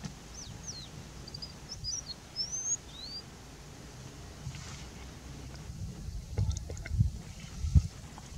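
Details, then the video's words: Indian bushlark singing from a rock: about three seconds of high, thin slurred and rising notes mixed with brief twittering, then the singing stops, leaving low rumbling background noise and a few clicks and knocks. "Indian Bushlark singing"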